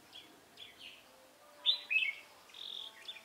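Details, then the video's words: Red-whiskered bulbul, wild bird from Hòa Bình being trapped with a decoy, 18 November 2017: short bright warbled phrases, a louder chattering burst in the middle, then a sustained whistled note, quiet background. "Bẫy chào mào Bổi hòa bình chơi lăng xăng cánh bướm"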